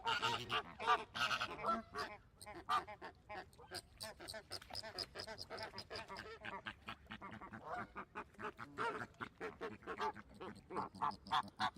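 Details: Many flamingos call together in rapid, overlapping nasal honks. The chorus is louder at the start, dips in the middle and then swells again.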